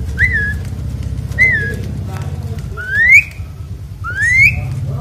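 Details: Asian pied starling singing loudly while being bathed: four loud, clear whistles about a second apart, the later ones sliding upward, over a steady low rumble of background noise.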